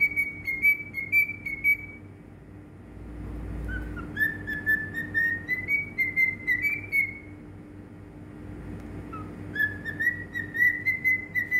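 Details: Cockatiel in Bahrain whistling three tuneful phrases of clear, sustained notes, each gently rising, with short pauses between them and a low rumble and steady hum in the background.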